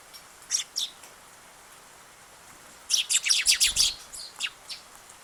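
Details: Sparrow, the first to visit on 8 August, calling: two sharp high chirps, a pause, then a quick burst of about seven bright chirps tailing off into a few softer ones.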